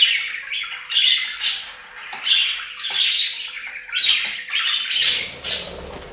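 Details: Pet budgerigars bathing at a fountain indoors: loud harsh chirping squawks in rapid bursts roughly every second, rising and falling chatter, with a splashy noise near the end.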